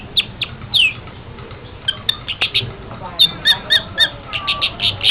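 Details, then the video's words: Long-tailed shrike on a training recording for songbird keepers: clipped high chips and brief squawky notes, tightening into a quick, busy burst of repeated sharp notes. "Masteran Suara Burung Pentet"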